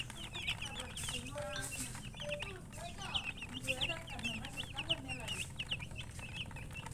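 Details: Chicken chirping: dense runs of short, high, down-slurred peeps repeated several times a second, with lower clucking notes underneath and a steady low hum throughout.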